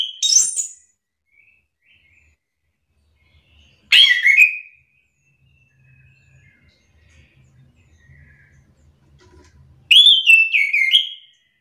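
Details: Orange-headed thrush singing as a lure that is said to agitate silent thrushes into answering within seconds. Three loud, separate bursts of rich, warbling, whistled notes come several seconds apart, with near silence between them.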